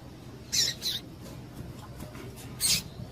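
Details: Female double-collared seedeater, calling to get males excited: a paired high, slightly buzzy chip, then a single chip two seconds later, over a low humming background.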